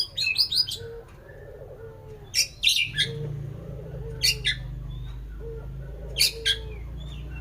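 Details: White-rumped shama song made of short bursts of sharp, high chirps and quick notes. The bursts repeat every couple of seconds over a low background hum.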